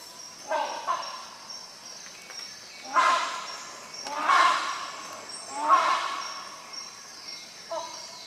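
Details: Series of five strong, rough honking calls from a rhinoceros hornbill, irregularly spaced one to three seconds apart, over a faint constant insect hum.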